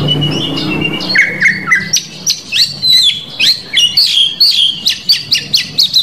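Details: Oriental magpie-robin song from Indonesia, full of filler phrases and used to provoke rivals. A low rumble fades as a few lower whistles give way to a fast, regular run of high slurred chirps, several a second.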